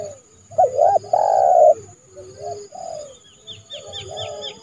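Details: A spotted dove decoy calls a rival into the yard, part of trapping in January. It gives a wavering double note, then a long loud coo and softer coos. Another bird chirps rapidly, high and repeated, near the end.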